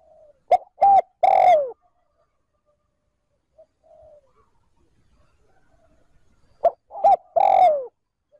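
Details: Spotted dove decoy cooing smoothly, 'trơn ròng', to lure wild doves. Two phrases are separated by a long pause: sharp brief notes and then a drawn-out coo bending downward. Faint soft notes fill the gap.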